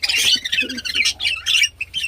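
Budgerigars chatter in busy, scratchy high warbles and chirps, several birds overlapping in a continuous flock babble with brief pauses.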